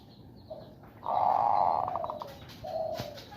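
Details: In a woven bamboo cage, a zebra dove in breeding condition, prompted by hand, gives a faint note, one long loud mellow coo ending in a rapid stuttering rattle, then a softer closing coo.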